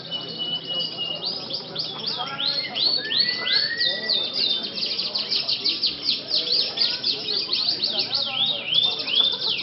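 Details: Canary in a night singing contest scored with stick points. A dense, rolling song of quick chirped trills and sweeping whistles, growing fuller and more continuous, over a low background murmur.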